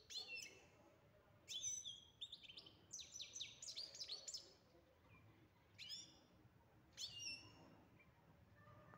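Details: European goldfinch giving short bursts of bright twittering and sharp high chirps, separated by gaps of near silence, with a busier tumbling phrase in the first half.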